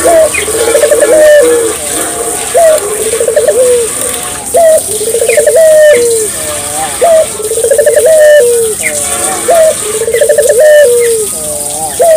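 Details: Barbary dove song to prompt local doves to sing: low rolling coos repeated every one and a half to two seconds over twelve seconds, partly masked by a steady rushing hiss.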